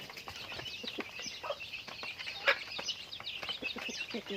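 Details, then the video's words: Chickens going about their daily activity, heard as a steady wash of high, thin peeping notes with scattered short clucks, one sharper cluck standing out midway. "Natural Sounds of Chickens"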